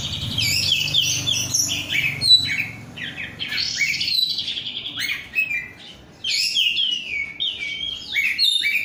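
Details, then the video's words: Oriental magpie-robin, a raw 'rudal korea' kacer prized by Indonesian bird keepers, pouring out a fast medley of chirps, buzzy slurs and downward whistles, around three to four notes per second, with a brief lull. "rudal korea kacer gacor"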